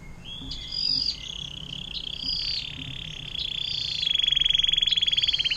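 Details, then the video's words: Long fountain-water style canary song used as a master recording for magpie robins, green leafbirds and shrikes. Brief high notes lead into a continuous trill that becomes a loud, fast pulsing roll at the end. "KENARI DENGAN LAGU AIR MANCURAN PANJANG MANTAP BUAT MASTERAN"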